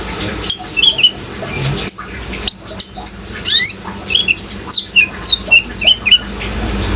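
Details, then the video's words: Immature kolibri ninja sunbirds, speckled and greenish young birds, repeat quick high chirps and brief rising squeaks roughly twice per second, accompanied by continuous water noise. "suara kolibri ninja gacor dan suara air"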